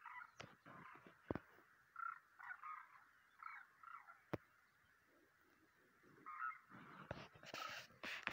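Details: A flock of demoiselle cranes on migration in March 2023 calls overhead with overlapping hoarse, rolling croaks, rising and falling in bursts; sharp clicks and some rushing noise near the end.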